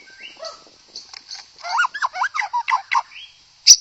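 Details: White-rumped shama singing to rouse other shamas: faint opening notes, then about eight loud, quick, hooked whistled notes in a steady run, a short rising whistle and a sharp final chip.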